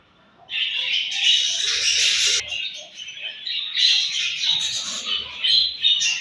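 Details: Budgies during morning feeding erupt into loud, busy twittering after a half-second of near silence, with overlapping chirps and harsh squeaks continuing to the end.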